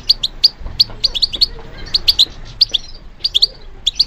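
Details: European goldfinch trained for song, answering stimulation with clear high chirps given in pairs and short groups, bright and tinkling, with short gaps between them.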